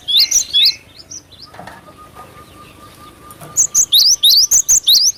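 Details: Timor sparrow (glatik batu) giving bright high chirps with rising sweeps, a couple at the start, then a fast run of repeated upswept notes near the end; a quiet steady hum and a soft flutter between.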